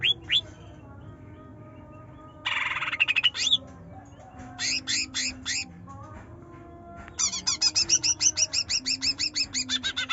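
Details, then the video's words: Trotol greater green leafbird chattering in 'nyerecet nembak' style as a lure for a bird slow to sing: a buzzy rattle, scattered sharp notes, then a long fast sequence of harsh repeated high calls. "Cucak Ijo Trotol Gacor Nyerecet Nembak || Pancingan Cucak Ijo Malas Bunyi"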